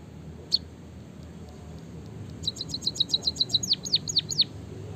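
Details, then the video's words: White-headed munia singing like a canary: one isolated high note, a pause, then a fast even trill of high chips that runs into several steep downslurred whistles. "burung pipit bondol haji gacor suara ngeroll isian kenari"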